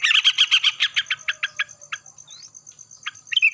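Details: Morning song of a yellow-vented bulbul trading calls with another bulbul: a fast run of chattering notes that slow and fade, a thin rising whistle, then a few more sharp notes.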